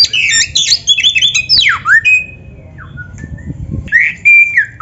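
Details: Oriental magpie-robin singing a lively, full song used as training material for caged birds: rapid varied whistles, harsh squawky notes and falling slurs, then quieter pauses and sustained whistled phrases.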